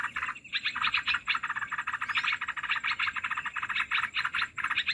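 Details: Olive-winged bulbul calls played as a lure for trapping birds: dense bursts of harsh, chattering notes packed almost without pause, with short gaps near the start and end.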